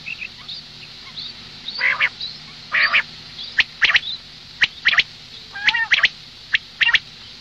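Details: Morning calls of a female common quail: rough, grating bursts mixed with sharp clicks and brief high whistled notes, roughly one per second and irregular, on a low steady hum.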